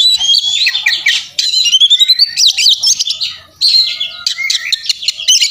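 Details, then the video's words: Fighting Oriental magpie-robin (kacer), puffed up and singing persistently, packed with mimicked fills: dense, scratchy, jumbled phrases mixing rapid chatter, wavering whistles and harsh squawks almost without pause, with one brief gap near the middle. "masteran kacer tarung ngobra ngotot full isian"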